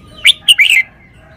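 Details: Caged red-whiskered bulbul showing its song phrasing: a single brisk phrase of a sharp chip, a second bright note and a rolling whistled flourish, under a second long.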